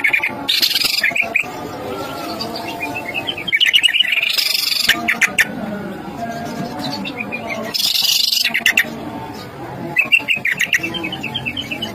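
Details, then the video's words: Greater green leafbird song played as a lure to fire up other leafbirds into singing: bright, chattering bursts of whistled and buzzy notes, each lasting about a second and returning every few seconds, over a steady low hum and music. "cucak ijo DIJAMIN ngamuk & Ikut gacor dengan pancingan ini"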